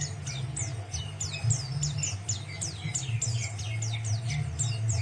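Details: Quieter white-eye song used to teach other birds. Many short high downslurred chirps come in a continuous patter, partly masked by a strong low droning hum.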